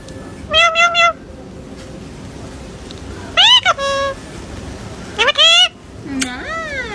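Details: Pet parrot talking while performing tricks: several short, bright, speech-like phrases with clear harmonics, some steady and some sharply rising, ending in a wavering, meow-like swoop, over a quiet indoor background.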